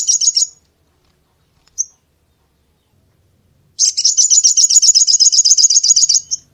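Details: Brown-throated sunbird: a short high chatter, one sharp note, then a long, fast, rattling trill of repeated high notes that lasts almost three seconds.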